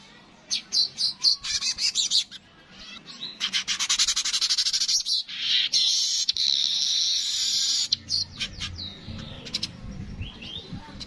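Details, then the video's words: Streaked weaver: quick chattering ticks that swell into a long, sizzling, rasping buzz, then break back into scattered dry clicks. "Burung Manyar kepala kuning suara asli"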